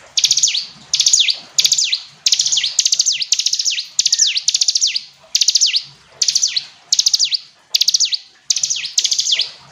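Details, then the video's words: Hill prinia singing a steady run of phrases, each a quick stutter of clicks ending in a sharp downward slurred whistle, repeated about every 0.7 seconds with short gaps between phrases. "Ciblek gunung istimewa, hitungan detik dijamin langsung bunyi ‼️ jernih"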